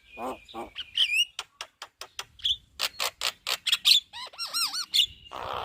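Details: Javan myna's loud chatter, a master recording for training other birds: evenly spaced dry clicks and rasps, then ringing, bouncing whistled notes repeated several times before a noisy rush at the end.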